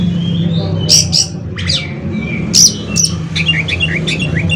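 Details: Oriental magpie-robin performing 'konslet' filler song to encourage other kacer to sing: sharp high strokes and short whistles, then a run of quick rising chirps, over a strong low hum.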